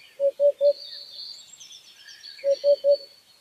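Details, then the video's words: Free-living white-breasted waterhen calling: two clear triplets of short, low, resonant notes separated by a two-second pause. Faint high chirping from other birds continues in the background. "Cùng Nghe Tiếng Hót Của Con Chim Cuốc Quốc Ngoài Thiên Nhiên"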